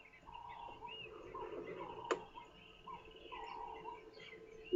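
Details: A Cape turtle dove (ring-necked dove) repeats short, hoarse mid-pitched cooing phrases in the background on a rainy-season African morning near a dam, with other birds calling faintly and a sharp click partway through.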